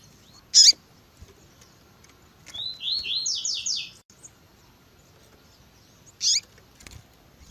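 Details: Double-collared seedeater, tui tui zel zel song with female call notes meant to stimulate males: a sharp chip, then a descending series of five or six buzzy slurred notes, then another chip.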